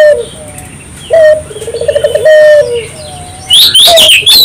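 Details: Spotted dove in lively song, played to spur local doves to sing; a sharp opening note, a quavering run of coos and a sustained falling note, followed by loud high chirping from another bird.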